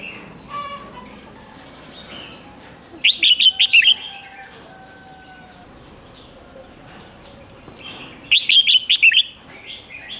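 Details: Red-whiskered bulbul singing a doubled 'ริก' song, played to excite caged birds: two crisp bursts of five rapid whistled notes about five seconds apart, separated by quiet thin whistles and twitters from other birds.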